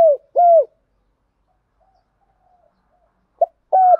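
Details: Spotted dove decoy cooing to stimulate newly caught doves, short hollow curved coos in pairs separated by more than two seconds of near silence with a faint soft murmur between them.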